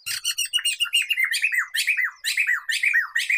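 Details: Black-throated laughingthrush, known locally as poksay mantel or poksay medan, played to lure and tutor other songbirds: loud, fast chattering phrases of falling slurred notes, about two per second, running continuously.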